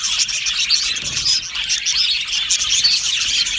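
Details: An aviary full of happy budgerigars fills the air with continuous high-pitched chirping and warbling, many voices overlapping.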